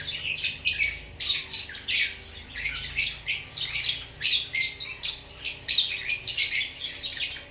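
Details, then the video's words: Relaxed pet lovebirds chatter in shrill, scratchy chirps delivered in quick bursts, the calls rising and falling in loudness with only short gaps between groups. "Lovebirds relaxing chirping sounds"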